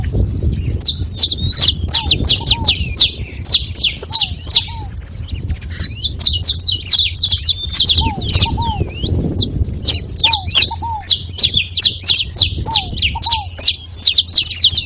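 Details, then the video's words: Fifteen seconds of several saffron finches chattering together: nearly continuous high, sharp chirps in dense bursts, with short pauses and paired low arched whistles recurring every few seconds. "Canário da terra junto fazendo barulho"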